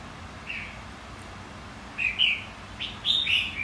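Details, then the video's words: Red-whiskered bulbul in contest singing meant to stimulate a bird; a single soft note, then two clustered bursts of loud slurred, bubbling whistles near the end. "Kích chào mào hót đấu.. Kích má trắng hót.. Luyện má trắng hót đấu"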